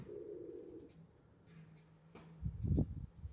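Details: Wood pigeon nesting in a balcony box gives a short low coo lasting under a second, followed by dull knocking and thumping sounds.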